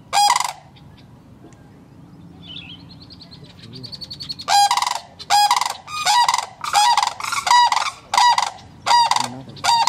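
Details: Cranes nesting in Kettle Moraine, Wisconsin: one rattly call opens, then a faint high warble and a quiet stretch of about four seconds, before a burst of loud rolling, trilled calls repeats rapidly to the end.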